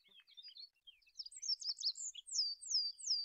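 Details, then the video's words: Olive-backed pipit (Anthus hodgsoni) in a lively high song: quick mixed twitters and trills building to three loud, thin descending slurred whistles at the end. "SUARA BURUNG APUNG ZAITUN MASTERAN"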